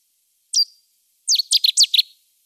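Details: Cetti's warbler song: one abrupt introductory note, then after a short gap a sudden loud outburst of about five quick, ringing repeated phrases, abruptly finished, with a silent background.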